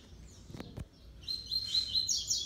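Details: A six-month-old double-collared seedeater sings a classic three-note song, competing with a rival black seedeater. It bursts into a high, rapid twittering warble for about a second, with two dull knocks just before.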